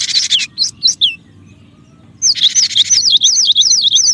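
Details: Cinereous tit used to lure other birds and prompt reluctant tits to sing. A few downward-sliding whistles with harsh chatter, a pause, then a rapid zigzag run of high whistled notes.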